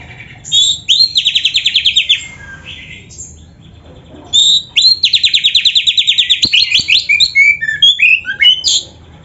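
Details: Caged oriental magpie-robin singing a rich, loud training song: buzzy rapid trills repeated in fast bursts, mixed with sharp whistled slurs and chattering notes between quiet gaps; faint low background hum.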